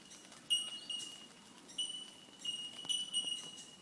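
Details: Bell miners calling at the bell bird hiking track on Mount Coot-tha, Brisbane, Australia: high, pure, bell-like pings, single and in short bursts, ringing out irregularly against quiet forest background.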